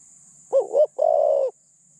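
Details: Spotted dove used as a decoy for catching other doves, medium-pitched voice: one soft cooing phrase, a wavering two-part note running straight into a drawn-out even coo, over a thin background hiss.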